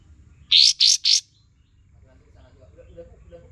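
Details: Olive-winged Bulbul lure recording for training songbirds: three rapid, harsh, buzzy notes in a burst, then faint low background murmur.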